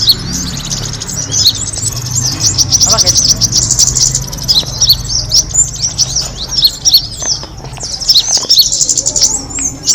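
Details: Kemade bird sound played to attract other birds: dense, overlapping high-pitched chirps and twitters run almost without pause, with a faint low hum beneath.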